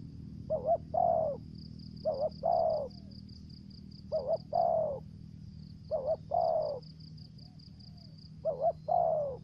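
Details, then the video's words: Spotted dove used as a lure, Trà Vinh, Vietnam, 'thổ dế' voice with 'dập' and 'mai rừng' style: five phrases, each a clipped double hoot leading into a long, sliding-down coo, with a high pulsing whine and low hum behind. "Terkukur Mồi giọng thổ dế, kèm dập, giọng mai rừng"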